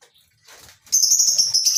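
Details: Morning in a lovebird colony aviary on a small breeding farm; after faint rustling, a loud steady stream of piercing high chatter starts and continues to the end.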